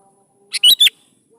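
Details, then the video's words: One brisk phrase from a sooty-headed bulbul, meant to draw young bulbuls into song: a soft lead-in note, then two loud slurred notes that rise and fall quickly. "PANCING SUARA BURUNG KUTILANG GACOR SATU INI"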